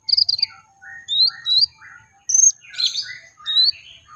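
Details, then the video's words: Sunbird 'tembakan' lure, a brown-throated sunbird: a varied run of short whistled notes, some rising sharply and others dropping lower, spaced about half a second apart, with one bright high chirp midway. "Pancingan konin agar cepat nembak"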